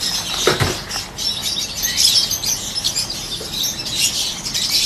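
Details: A group of peach-faced lovebirds, including yellow ones, held together. Shrill overlapping chirps and squeals fill the air throughout, and a short flutter of wings is heard near the start.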